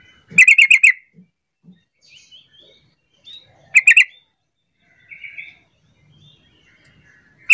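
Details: Lure call of a sooty-headed bulbul, used to make quiet bulbuls join in: a fast burst of five harsh notes, then softer scattered chirps and another short burst about three seconds later.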